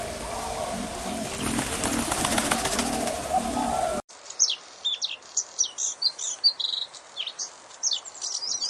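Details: Birds chirping: after about four seconds of low, tonal music, a quick run of sharp, high chirps and short twitters, repeated in irregular bursts over quiet background.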